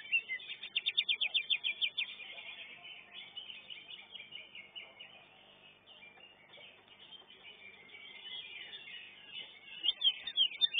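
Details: Greater green leafbird singing in a contest at a competition arena. It opens with a rapid series of about twelve loud, sharp, high notes. Busy chattering from other contest birds follows, and a second quick burst comes near the end.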